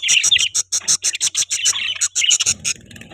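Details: Pet budgerigars chirping: a dense stream of high, scratchy chirps and warbled notes in quick succession, briefly easing off near the end into a softer low rumble.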